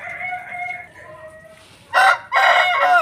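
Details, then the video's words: Aseel rooster crow: quiet, drawn-out tonal calls at first, then two loud, rasping crow bursts close by, the second longer and held to the end. "Aseel Roosters Crowing"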